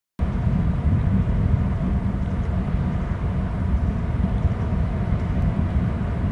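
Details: Deep, constant low rumble like wind or distant engines, with no animal calls.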